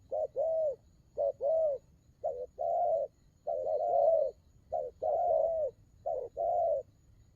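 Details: Low, mellow cooing from a spotted dove in the style known as đồng gù rước, short lead-in notes each answered by a longer round hoot, pairs recurring about every second.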